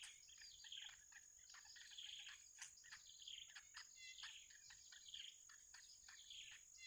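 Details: Baby bitterns in the wild begging as they await the mother's return with food. Clustered squeaky chirps repeat roughly every second, set against a continuous high cricket-like drone.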